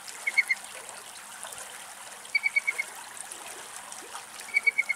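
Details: Wild little owl somewhere in Greece giving brief sharp notes in quick runs of three to five, spaced about two seconds apart, against a constant trickling water background.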